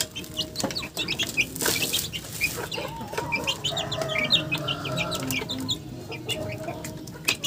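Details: Chickens cluck and chatter in a dense run of brief, scratchy notes, with some drawn-out tonal calls near the middle and a steady low background noise.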